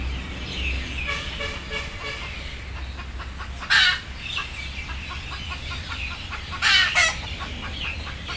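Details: Sleepy, frightened chickens about to be put on board: a low run of soft clucks, then two loud, harsh squawks about three seconds apart, with steady low hum behind.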